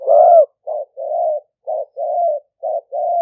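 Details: Spotted dove decoy bird, fierce strain, 'lio tan' style, recorded live in Roi Et, Thailand, for attracting wild doves; a loud opening coo, then alternating short and longer soft coos at a steady pace.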